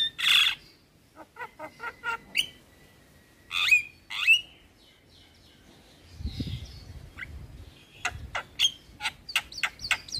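A Javan myna gives a varied, chattering song of harsh rasping bursts, clipped notes and brief high whistles. A low rumble passes midway.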